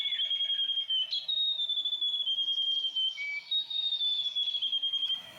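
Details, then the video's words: Grey warbler (riroriro) in New Zealand bush, giving a long, thin, high whistled song that wavers almost continuously at a steady pitch, with small upward jumps and brief dips, clear over a quiet background. "New Zealand Grey Warbler / Riroriro"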